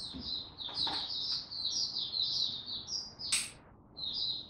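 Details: Young male white-eye practising its developing song on 9 February 2022: thin, high twittering notes strung together over a background hiss, with a sharp click partway through.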